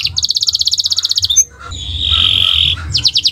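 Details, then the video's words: Canary singing in a training recording: a rapid rattling trill of identical high notes, a brief pause, a steady buzzy tone and then quick repeated notes resuming. A low background hum runs throughout. "Gacor Owor-owor uhuii"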